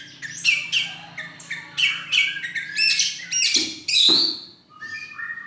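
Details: White-rumped shama singing at a bird song contest festival on 26 November 2023, first-place winner; varied loud phrases of whistles, harsh squawky notes and rapid chirps with short pauses, a faint low hum beneath.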